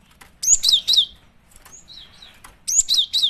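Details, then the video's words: Female cinereous tit (gelatik batu) used as a lure. Ringing three-note chirp groups with falling slurs open and close the recording, with a faint thin whistle between them. "Pancingan suara burung gelatik batu betina"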